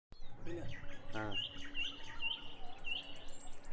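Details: A baby bulbul on a house roof gives short, high chirps about every half second over a steady low rumble, with a brief voice-like sound near the start.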